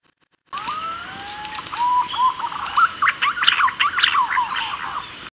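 Green pigeon giving soft, gliding whistles that lead into a rapid run of bright, warbling notes, with a slight background hiss.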